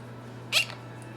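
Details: A male pet Quaker (monk) parakeet mimics speech, saying 'peekaboo' in a brief, high, raspy two-part utterance.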